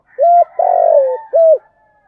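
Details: A single spotted dove phrase of the thúc gù type, giọng thổ voice, used for luring wild doves: a level coo, a long throaty coo sliding down, then a final shorter arched coo.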